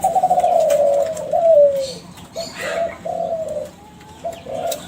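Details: Young captive-bred Kelantan zebra dove from champion contest stock, played as a lure for other doves: a fast rolling trill sliding downward, a falling coo, then short separated cooing notes, with faint background noise.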